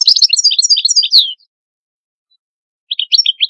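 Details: Song of an Algerian European goldfinch: a quick run of bright, high twittered notes ending in a short downward slur, then a pause of over a second before another brief burst of liquid chirps.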